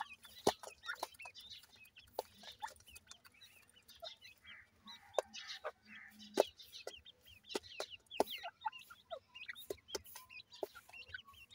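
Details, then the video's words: Young partridge chicks at play, producing a steady run of brief, thin, high chirps and peeps, some slurred downward, amid scattered sharp tapping and clicking sounds. "partridge bird chicks playing"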